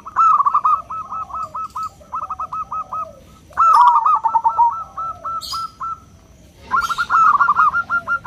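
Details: Small local zebra dove, its clear 'crystal'-style voice used as a lure for other doves: rapid rolling runs of short hooked notes in three phrases, with a brief rustle midway.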